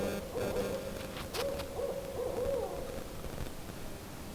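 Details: A Barred Owl near an off-grid cabin gives a run of mellow, mid-pitched hoots with wavering slurs over about two seconds, with a sharp knock and a low background rumble alongside.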